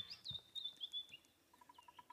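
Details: White-browed scrub robin singing around sunrise on an African morning drive in August 2016: faint, high, thin whistled phrases, then a quick run of lower repeated notes, with soft background rustle; a bearded woodpecker is also calling.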